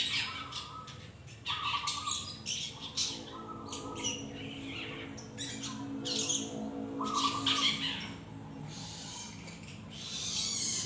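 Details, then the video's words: Learning young long-tailed shrike: an irregular stream of grating squawks and chattering bursts, several rapid notes per second, mixed with short level mid-pitched tones. "cendet trotol belajar bunyi"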